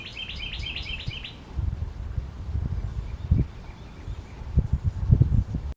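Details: Carolina wren giving a fast series of about five repeated rolling, slurred phrases in the first second and a half, then falling silent while low rumbling wind or handling noise fills the rest.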